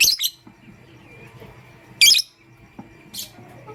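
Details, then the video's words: Pastel gray and green pet lovebirds chirp in the morning: three loud bursts of harsh, very high squeaky chirps, each short, with quiet stretches and a soft hum between them. "Pastel Gray LoveBird Chirping Sound"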